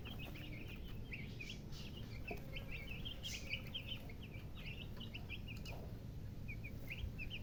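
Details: Chirping chickens with a hen: rapid, bright little peeps repeated almost continuously, clustering in quick runs, set against a steady low rumble.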